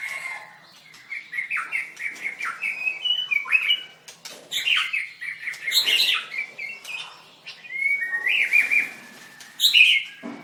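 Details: White-rumped shama performing in a bird singing contest: rapid runs of chirped notes around a steady pitch, broken by short louder bursts and clicks.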